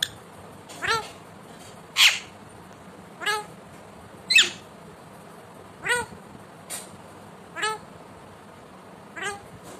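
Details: Talking pet Indian ringneck parakeet giving eight sharp, harmonic, meow-like calls, each briefly falling in pitch, spaced about every 1–1.5 seconds against a low steady background hiss.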